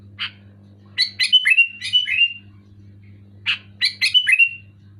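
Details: Sooty-headed bulbul singing loudly: two bubbly phrases of rapid chattering notes with whistled slurs, each opened by a single harsh chip, separated by a short pause, over a low continuous hum.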